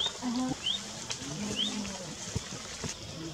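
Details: A nesting, ringed striped pipit gives three thin, high, upslurred call notes spaced irregularly over about two seconds, over a low rumbling background hum.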